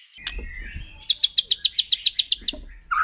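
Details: White-rumped shama, wild, forest bird said to agitate other shamas: after a soft slurred whistle, a fairly faint run of about a dozen clipped high notes, evenly spaced, over low background rumble.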